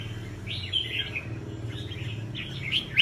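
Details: Caged red-whiskered bulbul (chào mào bông) in a singing competition, giving brief sharp chirping warbles in a few separated bursts over a steady low background hum.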